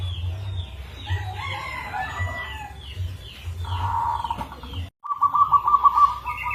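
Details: Rare-rhythm local zebra dove from Indonesia, used as a lure song, gives short bursts of mid-pitched rolling coos, then a quick trill of rapid pulsed notes after a brief pause. Other birds chirp faintly behind.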